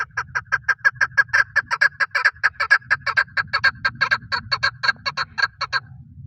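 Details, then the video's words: Male chukar partridge used for hunting, giving a loud chuckling call: rapid repeated clucking notes about two per second, steady and insistent, over a low hum in the background. "Paritrighe best sound for hunting | chakor voice"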